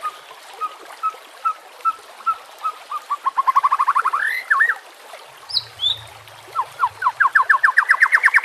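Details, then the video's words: White-rumped shama on a lure recording for training silent birds. Evenly spaced whistled notes speed up into a rising trill, pause, then build again into a fast, climbing series. "PANCINGAN murai BATU pasti langsung TAK BISA DIAM"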